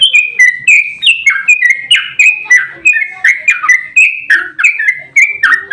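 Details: Emotional fighting song of a yellow-vented bulbul, a long lure recording for provoking other bulbuls to respond; a steady stream of loud liquid, bubbling, downward-slurred notes, several each second.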